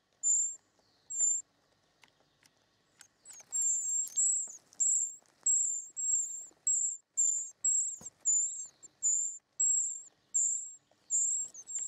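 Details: Nest of short-toed treecreepers with young being fed: two high squeaks, a short quiet spell of rustling, then steady high, thin squealing notes repeated roughly every half second.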